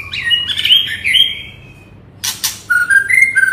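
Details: Agitated white-rumped shama, singing non-stop as a lure to provoke other birds: clear whistled notes sliding between phrases, then two harsh rasping bursts after a short gap, then flat, steady whistles.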